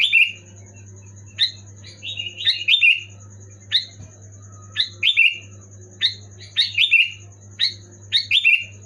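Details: Sooty-headed bulbul calling loudly to prompt a silent pet bulbul to sing: short, bright, downslurred chirps, singly or in quick pairs and triplets every second or so, over a steady low hum and a faint high ticking tone.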